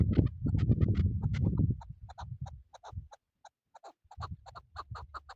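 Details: Chukar partridge kept for hunting gives spaced, clucking chuk notes that become clearer once an early stretch of low rumbling noise dies away. Quiet gaps fall between short groups of notes.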